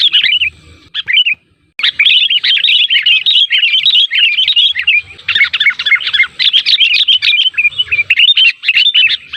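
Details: Sooty-headed bulbul lure sound intended to provoke replies from other bulbuls: after a few opening chirps and a brief silence, nearly continuous excited chattering of jumbled whistled notes.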